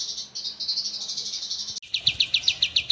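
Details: Oriental white-eye singing as a master recording for cage-bird training, with a clear, long song of rapid high chirps, first a blurred trill, then crisp separate notes about four per second.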